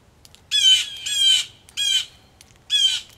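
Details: Four loud, grating jay screams from angry blue jays at a Missouri farmhouse porch in rain, each harsh and nasal, spaced unevenly over about three seconds against quiet dripping.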